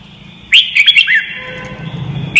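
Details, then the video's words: In song-training audio for young white-cheeked birds, a Red-whiskered bulbul gives a rapid phrase of five bouncy whistled notes, then goes quiet before one more sharp note near the end; a faint low hum sits beneath. "CHÀO MÀO | Luyện giọng chim hót cực hay - luyện má trắng nhanh học giọng"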